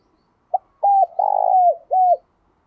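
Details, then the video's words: Spotted dove used as a lure bird to draw wild doves, giving its luring coo and call: one short note, then a drawn-out mid-pitched phrase of hollow coos with a tremulous middle note, ending with a falling coo. "Tiếng Chim Cu Mồi Thúc Gù Và Gáy Gọi/ Chim Cu Gáy Kích Bổi Nhanh Nổi Hiệu Quả"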